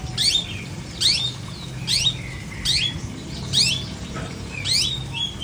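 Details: Uncovered caged long-tailed shrike repeating a harsh downslurred squeaky note roughly once a second, each trailing into a brief lower whistle, over a low background hum.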